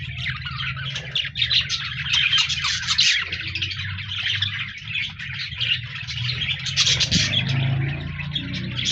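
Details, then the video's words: Budgerigars recorded on 14 January 2024, a flock chattering and singing continuously with dense, scratchy warbles and quick high chirps, over a steady low rumbling hum throughout. "Budgies Birds Singing Chirping Sounds Parakeets sounds"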